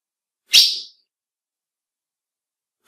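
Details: A female ultramarine grosbeak's male-exciting call: one breathy chip, then the onset of a second chip at the very end.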